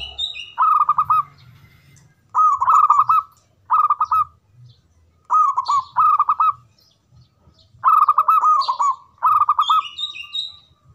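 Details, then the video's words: Local zebra dove with a big voice singing: loud phrases of rapid, bubbling cooed notes, each about a second long, repeated every one to two seconds, with softer dove calls between them. "Perkutut Lokal Gacor Suara Besar Manggung"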